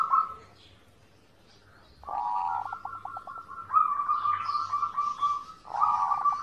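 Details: Zebra dove song recorded as master audio to teach birds to sing: after a pause, a purring coo with a string of short notes, then long sustained rolling trills, with other birds faintly behind.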